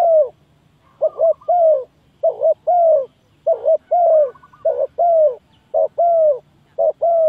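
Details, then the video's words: Spotted dove cooing used as a lure to trap doves: paired hollow coos, a brief note followed by a drawn-out falling one, repeating about once a second with short pauses, against a quiet background. "Very Good Trap dove"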